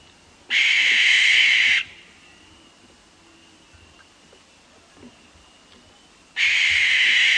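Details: Wild barn owl screaming at night, two raw, hissing screeches about 1.3 seconds each, separated by nearly five seconds of quiet, the second starting as the recording ends.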